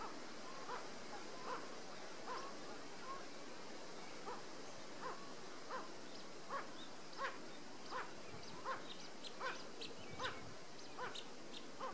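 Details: Blue-winged teal at Foam Lake, Saskatchewan, on 23 May 2013, giving a steady series of short, sharp notes, a little more than one per second, over a soft background hiss with faint higher chips from other birds.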